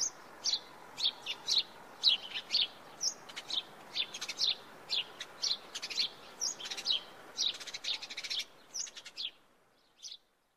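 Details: House sparrow singing: a steady run of short, bright chirps, roughly two per second, continuing for about nine seconds, then a brief pause and one final chirp, over faint background hiss.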